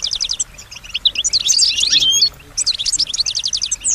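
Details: Pet female European goldfinch singing and imitating sounds around her: rapid tinkling twitter, a dense run of bright warbled notes in the middle, a short pause, then more quick repeated chips.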